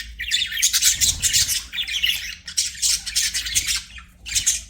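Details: Pet budgie chirping in harsh, grating bursts of chatter, roughly one burst per second, separated by brief dips, low indoor hum underneath.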